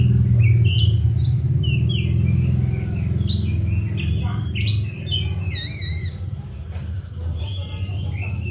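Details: Caged Oriental magpie-robin kept on seven crickets and bathed morning and afternoon, singing varied whistled phrases, some rising and some falling, in quick bursts over a loud steady low hum.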